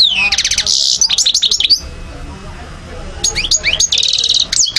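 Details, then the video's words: European goldfinch in Algeria, 2012, delivering loud, fast song: bright rolling trills and rising sweeps, a short silent pause, then another burst of ringing, repeated notes. "Carduelis* chardonneret* jilguero* حسون alger"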